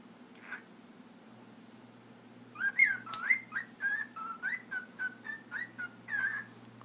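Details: A male pet cockatiel sings to a lighter, a run of clear whistled notes, rising and falling, with a few rougher chirps; owner suspects some sounds are angry when the lighter disappears.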